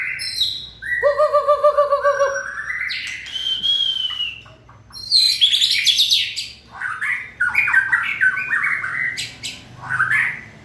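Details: A white-rumped shama in peak singing form, recorded 20 March 2020, sings a rich, varied song: fast repeated chattering notes, clear whistles and rising slurred phrases in quick succession.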